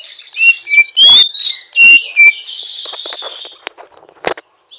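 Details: Greater green leafbird (Chloropsis sonnerati) learning to sing with rough twittering: dense, harsh, high chirps and short whistled slurs crowded together, then scattered clicks and a fading buzz.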